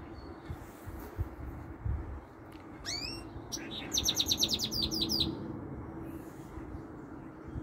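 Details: Goldfinch mule, a goldfinch–canary cross with some canary notes, heard over steady low background hiss: a couple of sweeping chirps, then a quick rattling trill of repeated high notes lasting about a second and a half.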